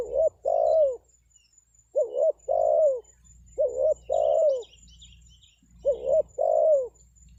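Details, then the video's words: Spotted dove (tekukur) luring call for wild birds, four phrases each of a quick double note followed by a drawn-out descending coo, spaced under two seconds apart, with faint distant chirps and low rumble. "SUARA PANGGILAN TEKUKUR PIKAT, BURUNG HUTAN PASTI NYAHUT"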